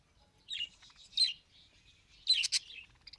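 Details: Budgerigar trying to talk gives high chirpy warbling in three bursts, with a bright whistled note, buzzy clicks and crackly squeaks, over a quiet background.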